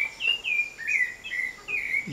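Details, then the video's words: Sabiá thrush singing in a home backyard: loud ringing whistled notes, some rising and some falling, strung together with little pause, ending with a short low sound from another animal. "A MAJESTADE O SABIÁ NO QUINTAL DA MINHA CASA"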